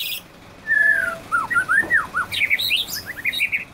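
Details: White-rumped shama, described as quick to become agitated, singing a falling whistle followed by looping up-and-down slurred notes, then a burst of high, rapid chirping phrases, heard clearly against a quiet background.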